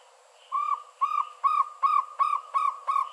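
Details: Jungle owlet (ചെമ്പൻനത്ത്) calling: after a short quiet lead-in, seven clear, mid-pitched, slightly downturned hoot notes repeated steadily at about one every 0.4 seconds.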